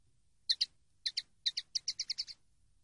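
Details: Common linnet singing on a song-training recording: brisk twittering of bright, high chirps, first in spaced pairs, then speeding into a rapid run of about six even notes, with a clean, quiet background.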